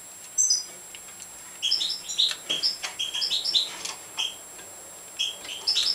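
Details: European goldfinch of the Major form at feeding time; short, high, bright chirps and tweets come in quick, uneven bursts, several overlapping notes at a time, with a brief pause between groups.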